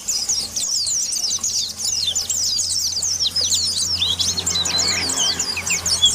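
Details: Oriental white-eye singing to call out rivals, a continuous stream of high zigzag chirps and quick twitters, with a faint low hum beneath.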